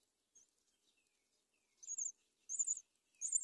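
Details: Young mynas at a palm-tree nest being fed locusts by their mother; a faint short squeak, then three loud, high, raspy squeals, each lasting about a quarter second, coming faster toward the end.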